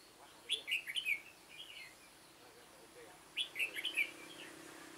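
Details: Red-whiskered bulbul, veteran decoy back in use for trapping wild birds on 9 September 2017, repeating a lively warbled phrase twice about three seconds apart, each of four or five rapid whistled notes.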